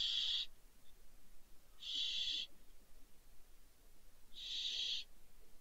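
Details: Fallen barn owl chicks at Riet Vell in the Ebro Delta, Spain, in December: three brief rasping hisses spaced roughly two and a half seconds apart over a low steady hum.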